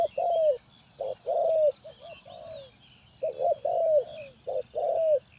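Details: Spotted dove call used as a lure for trapping: several hoarse coo phrases, short notes leading into long falling coos, delivered in quick succession with faint birdsong behind.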